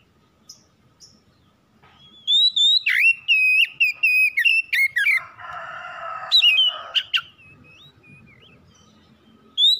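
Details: Oriental magpie-robin kept at home, its song used as a lure to set other birds singing: rapid run of sharp whistled and chirped notes, then a harsh buzzy rasping stretch, more whistles after.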